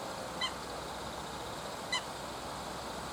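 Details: Eurasian coot (Fulica atra) on the Oita River, December 9 at 9:52, gives two short, loud, nasal honking calls about a second and a half apart over steady hiss, startling a Common Snipe resting on waterside concrete.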